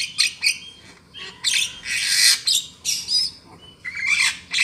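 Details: Lure call for trapping black-winged mynas: loud, noisy screeches and harsh rasping bursts, with a few short whistled notes, over a low background hiss.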